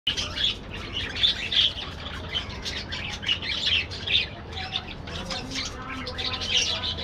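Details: Budgerigars in a colony aviary: a dense, overlapping chorus of high, bright chirps and warbled twitters, with sharper whistled notes poking out, over a low steady hum.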